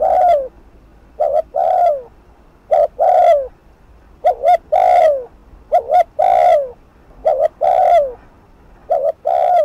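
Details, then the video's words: Spotted dove giving rapid thúc gù cooing to provoke rival doves: about seven phrases in quick succession. Each is a clipped doubled note followed by a longer, falling coo, with quiet gaps between. "Cu gáy Thúc Gù TỐC ĐỘ kích bổi/kích mồi nổi điên gáy ngay"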